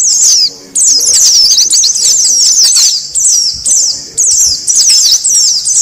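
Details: Noisy white-eye calls for luring wild birds: a short chirp, then a pause, then repeated runs of quick, high, descending twitters, broken by brief gaps every second or so.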